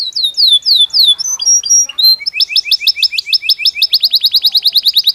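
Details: Belgian canary in natural song, with falling whistled slurs and brief twittering, then a long accelerating series of short repeated double notes, clear and rhythmic.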